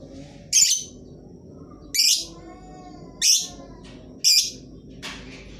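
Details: Lovebird song meant to coax silent birds into singing: four loud, harsh, screechy chirps spaced about a second apart, with faint softer notes in the gaps.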